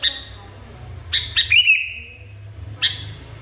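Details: Sooty-headed bulbul in a highly agitated state: paired sharp chirps leading into a warbled note and a lengthy fading whistle, then another chirp, over soft low rumble.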